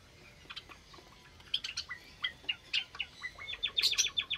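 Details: Caged flock of Java sparrows with recently hatched chicks, Sunday morning, 8 May 2022; soft early notes build into a busy run of bright, clipped chirps and tweets overlapping from several birds.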